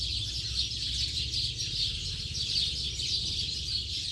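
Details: Many house sparrows chirping together in the late afternoon, a busy, pulsing chorus of short high notes rising and falling in rough waves, with low background rumble.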